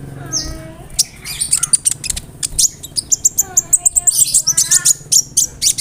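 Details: Konin bird delivering a mimicry-rich song with cricket and other bird imitations, used for training songbirds; fast run of sharp high chirps mixed with lower descending whistles, ending in dense trilling bursts.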